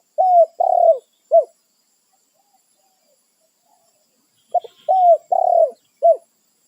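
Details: Wild spotted dove, a territorial bird, calling to its companions: two phrases of low, mellow coos, each a short note followed by two or three longer, slightly falling coos, about three seconds apart, with quiet surroundings between.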